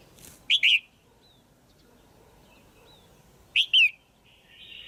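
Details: A female red-whiskered bulbul gives a pairing call meant to stimulate a male: two clear whistled notes, the second falling, repeated once three seconds later, with faint thin whistles and a short buzz in the background.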